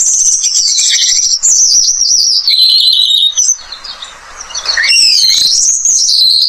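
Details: Australian pipit, described as a pest bird with a melodious song, gives a loud, continuous high twittering warble of rapid slurred notes and trills, briefly dipping into a softer rustling gap before resuming.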